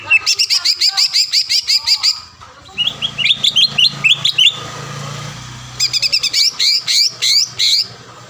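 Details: Green leafbird song used as a lure to provoke a rival bird into singing: rapid series of bright whistled, upward-hooked notes, a brief pause with faint low hum, then another fast burst of sharp repeated notes.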